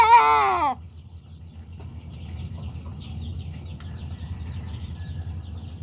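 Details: A young Sanjak cockerel just starting to crow gives one short, rough, harmonic crow of under a second that breaks upward at the end. Quiet follows, with faint distant bird chatter and a low background rumble.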